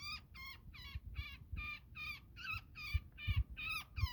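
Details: Netted woodpecker being freed, described as very angry: a steady run of about eleven grating, nasal squawks in four seconds, evenly spaced, with faint thumps and handling knocks beneath.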